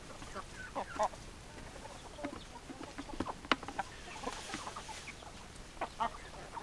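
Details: Hens cluck in scattered short bursts, with a few louder, sharper clucks standing out above quieter flock murmuring and background hiss.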